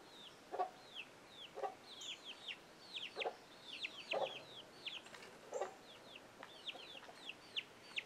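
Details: Chickens with young chicks that scramble when an alert sound is given; steady chorus of high, downward-slurred chick peeps over short, low hen clucks roughly every second.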